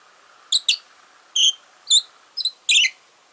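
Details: Pet Fischer's lovebird talking in its sleep, a sound described as very cute: six brief, high, squeaky chirps at irregular intervals, some doubled, over a soft steady hum.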